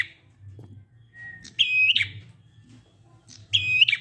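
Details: Ngalun song of a prinia, used as a lure for prinias that have stopped singing: two bright, flat, buzzy notes with clicks and rough endings, two seconds apart, a faint thin whistle before them and a low hum behind.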